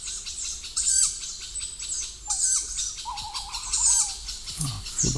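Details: Young tawny owls, already fairly large, calling near their parent in an old forest: harsh, high hissing bursts repeated through the recording, with a wavering whistled tone and other faint birdsong behind.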